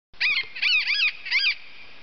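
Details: Yellow-eared Parrot perched near a roost in the Colombian Andes in late afternoon, Nov/Dec 2009, giving three harsh, nasal squawks in quick succession, each rising then falling, with a steady background hiss.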